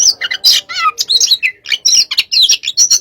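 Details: White-rumped shama of the hot type in a pacingan session, singing a fast, varied run of loud whistled and chattering notes, sweeping and trilled phrases mixed with harsh bursts, packed closely with short gaps.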